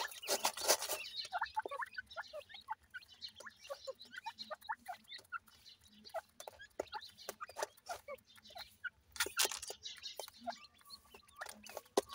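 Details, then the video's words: Partridge chicks playing, giving short, sharp twittering chirps that rise and fall, repeated rapidly throughout, with frequent loud clicking and scratching noises over the top. "partridge bird chicks playing"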